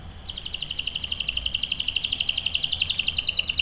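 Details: Canary song, a rolling phrase used to prompt other canaries and tutor young birds: a steady, fast, even trill of doubled high notes over noticeable background hiss.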